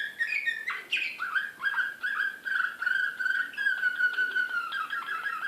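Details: Excited Serbian Slavujar canary recorded in Belgrade in 2016. Varied chirps open the phrase, then a long, even, rolling trill holds at one middle pitch for several seconds.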